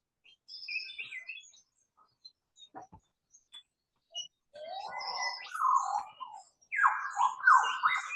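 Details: A lyrebird gives a weird, rich gurgling call of rolling, warbling phrases after a few scattered high chirps and clicks, ending with loud swooping notes, recorded on a foggy, misty morning bird walk in Australia.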